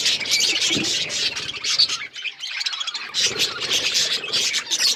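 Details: Budgerigars, recorded February 18, 2024, keep up a loud, harsh, high chatter of buzzy chirps and squawks, with a short near-quiet break at about two seconds before the chorus resumes.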